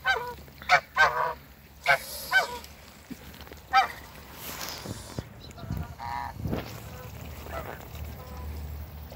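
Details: Backyard pair of geese, a Toulouse male and an African female: loud, harsh honks in quick doubled bursts early on, more spaced honks later, with fainter calls and background noise near the end.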